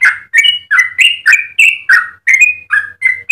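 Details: Yellow-vented bulbul delivering its loud, liquid song: rich slurred whistles rising then falling, about three per second, clean and unbroken.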